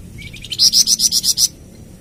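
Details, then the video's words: Singing Flamboyan bird, used as a tutor song and to prompt caged birds to sing. Soft rising chirps build into seven loud, sharp, evenly spaced whistled notes, then silence. "Suara Kicauan Burung Flamboyan"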